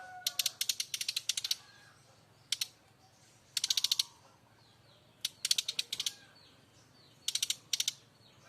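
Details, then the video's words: Brown-chested jungle flycatcher from Bali giving loud kretekan rattles: bursts of rapid, dry, clicking notes, several a second, in repeated runs of up to about a second, over a steady hiss of background noise. "Kretekan keras srdc Bali"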